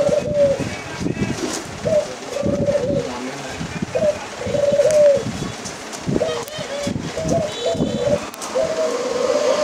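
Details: White dove cooing: a series of steady, mid-pitched tonal notes, some long and level, others short and bent, repeated unevenly, with scraping and knocking noises and a faint high chirp in the background.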